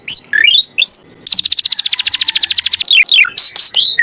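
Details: Indonesian canary master song for training birds: rising slurred whistles lead into a fast, loud, pulsing trill lasting about a second and a half, then descending notes and a few high squeaky calls.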